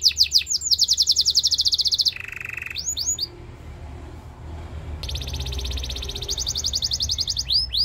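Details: A Belgian singing canary's song, meant to attract other canaries: rapid high trill, a lower buzzy roll, a few swept notes, a brief lull with faint background noise, then the fast trill resumes.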